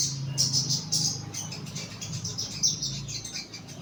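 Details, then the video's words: Young caged bulbul kept in a lower cage for song therapy, giving thin, high chirps and short twittering notes in quick irregular bursts, over a low steady background hum. "BUNYI SOGON MUDA TERAPI SANGKAR BAWAH"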